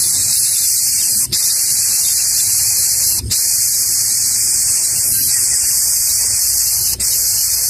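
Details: Steady high-pitched hiss fills the recording, broken by three brief sharp clicks, with a faint low hum underneath and no animal voices.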